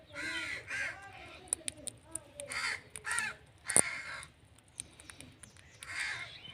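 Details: Harsh, grating calls of an Indian ringneck parrot, several rough squawks in quick succession with layered tones, then scattered sharp clicks and a louder squawk near the end over a low background hum.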